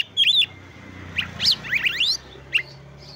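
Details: Brief snatch of Oriental magpie-robin song intended to provoke other magpie-robins into breeding condition and song. A few high whistled notes and upward-sweeping slurs stand out against a noticeably noisy background hum.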